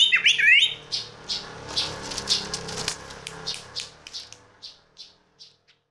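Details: Unusual sound of a sooty-headed bulbul: it opens with a quick looping warble, then a long series of short high chirps with rustling that grow softer and more spaced until fading out.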